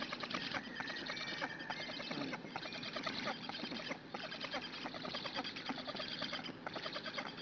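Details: Hungarian black stork chicks at a live-streamed nest, June morning, begging while they wait for a parent to bring food. A fast, scratchy stream of repeated squeaks and chatter fills the recording, broken by a brief pause near the middle.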